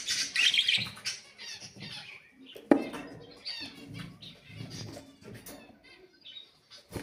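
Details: Ornamental pet budgerigars chatter in short squeaky chirps and buzzy notes, loudest at first, then softer, with a sharp click and some low rustling in between.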